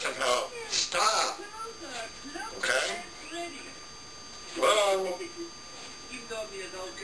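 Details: Pet African grey parrot burping and talking after its owner leaves the room: short harsh burp-like bursts and garbled speech-like syllables at intervals, indoors, with a steady electrical hum in the background.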